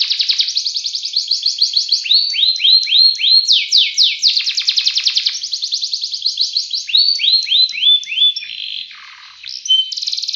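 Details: Canary singing in the ngerek style, a long continuous, lavish song: rapid high trills, runs of downward-sweeping notes repeated several times a second, a short lower dip near the end, then trilling resumes.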